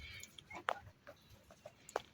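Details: Newly bought turkey chicks on a farm give short, sharp peeps, two louder ones about a second apart among softer chirps, with faint voices in the background.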